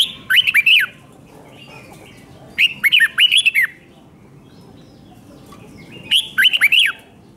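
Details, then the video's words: Thai red-whiskered bulbul song of the doubled, 5-syllable style, played so young birds learn it. Three bubbly phrases of rolling, downward-curling whistles repeat every few seconds. Soft background chatter is heard between them. "เสียงนกกรงหัวจุกเบิ้ล2 เบิ้ล3 เพลง 5 พยางค์"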